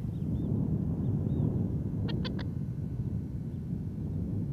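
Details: Masked Lapwing (spurwing plover) in Australia, a mother guarding her ground nest and newly hatched chick, gives three quick, rasping warning notes in a tight burst; faint thin whistles from other birds and low rumbling behind.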